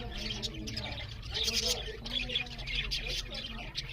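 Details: Eating budgerigars chirping loudly, a continuous high, gravelly twitter from several birds, somewhat quieter, over steady low background noise.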